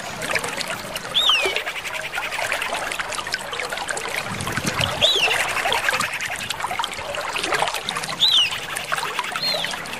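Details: Common iora lure call of female and male ioras, said to draw an immediate reply: a clear high whistle sliding downward, given three times about every three and a half seconds, over a steady hiss like running water.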